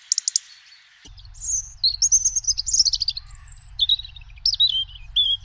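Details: European Robin song: after a few quick dry ticks, a varied stream of thin, high, tinkling warbled phrases, with clear notes sliding up and down and short pauses between, over a steady low hum.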